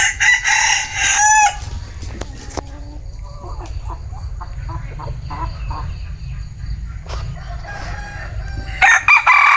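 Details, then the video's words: Bantam cock crowing: a harsh crow opens the recording, followed by a stretch of scattered knocks and faint clucking-like sounds, and another crow begins near the end. "Tiếng Gà trống tre gáy"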